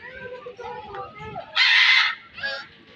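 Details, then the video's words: One of a pair of red macaws gives one loud, harsh, raspy squawk lasting about half a second, then a shorter rough note. Softer chatter or voices come before it. "Red macaw parrots pair"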